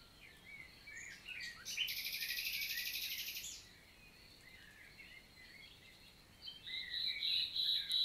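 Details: Common nightingale (Luscinia megarhynchos) in summer daytime, countryside forest of the Célé valley, Lot, France, 11 June 2023; a dense rasping buzz of nearly two seconds, a pause with distant chirps, then a rising run of rapid repeated notes.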